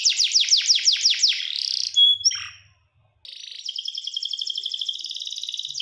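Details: Canary singing: a fast run of about eight descending whistled sweeps, then a brief buzzy burst and a sharp chip, a short silent gap near three seconds, and a dense, rapid rolling trill that continues to the end.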